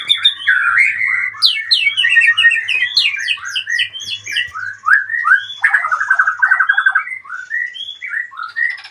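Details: Magpie-robin, a retired champion, delivers a rich, fast song of varied whistles, sweeping upward notes and clicks, ending in a rapid trill-like series and looping warbled phrases.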